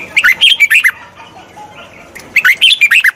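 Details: Red-whiskered bulbul song played for training a wild-caught bird: two bursts of quick, warbling whistled notes swinging between mid and high pitch, separated by a quiet pause with faint softer calls.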